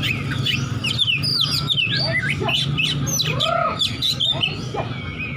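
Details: Oriental magpie-robin bred for fighting, looking for an opponent with ngeplong song: nonstop overlapping swooping whistles, trills and squeaky notes, busy and loud, with a low droning background.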